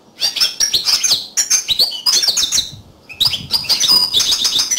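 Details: Bright, shrill song of a yellow canary: bursts of quick chirps and rattling trills, a short break, then more rapid warbled phrases that keep up the same high, lively pace.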